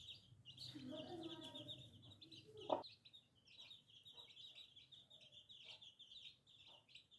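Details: Baby chicks peep steadily in high, wavering notes, with a brief lower murmur and a loud knock near three seconds, then quieter cheeping.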